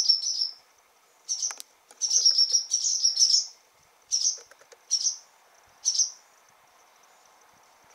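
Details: Barn swallows in a stable on June 28, as newly fledged young take their first flights and frantic parents fly about: high, thin chirps in short twittering bursts, roughly one a second, over a faint low hum.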